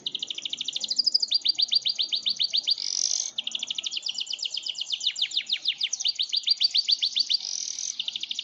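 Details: Yorkshire canary delivering a very long roll: fast, steadily repeated high notes in continuous rolling trills, broken briefly by a buzzy burst near the middle and then resumed without pause.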